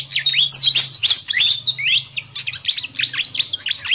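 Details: Busy fantail flycatcher lure call meant to draw in wild birds: fast jumbled high chips and short up-slurred whistles in quick bursts, with a low steady hum underneath.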